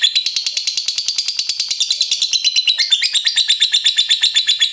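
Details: Rapid, high, rasping chatter of a lovebird's ngekek, pulses following one another without pause, tone brightening slightly after the midpoint.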